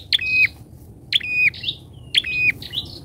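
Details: Captive bar-winged prinia kept as a lure bird, calling very loudly and steadily. Three strident, buzzy calls come about once a second, each opening with a sharp high click before a flat, rasping tone.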